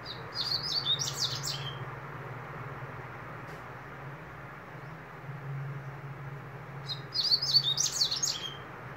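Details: High-pitched, rapid twittering song phrases from a double-collared seedeater, one burst at the start and another near the end, with sliding whistled notes against a constant low droning hum.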